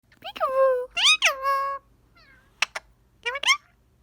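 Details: Pet green Indian ringneck parakeet, a male, during play time with a phone: drawn-out harmonic nasal calls, then a pause, two sharp clicks and a final short rising squawk.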